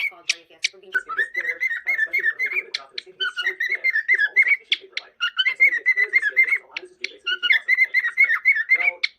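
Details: Pet cockatiel indoors chattering with rapid, repeated warbled notes near a steady pitch, a busy stream of short chirps and whistles, with soft speech-like mumbling underneath and a brief pause midway.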